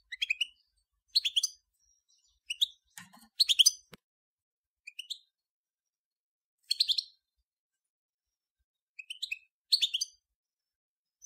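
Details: European goldfinch of the Major form, recorded in 2014: short, high twittering chirps in brief clusters spaced one to three seconds apart, with a faint click in between.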